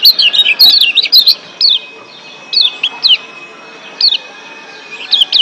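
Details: Lombok white-eye chorus from wild birds, meant to raise breeding condition and get caged birds singing. It opens with a quick tumble of high twittering notes, followed by sparse single downslurred chirps.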